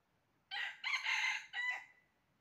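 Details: During a 20 January 2023 trapping session, a red junglefowl gives one full crow: an abrupt harsh start, a drawn-out rough middle phrase and a shorter closing syllable, over near silence.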